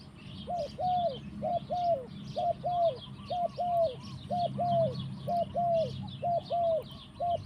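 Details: Spotted dove in the forest giving a steady run of soft, low, arched cooing notes, mostly in close pairs, repeated evenly for the whole stretch, while small birds chirp high and thin in the background.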